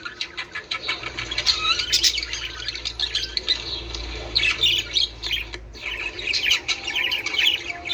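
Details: Budgerigar chatter aimed at encouraging breeding: thin, clicking twitters and rasping squawks, busiest at the start and again in the last seconds, over a faint low hum.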